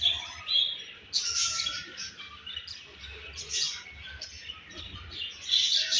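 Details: Baby budgerigar, home bred, chattering steadily: thin high chirps mixed with harsher scratchy notes, rising into louder rasping bursts after a quieter start.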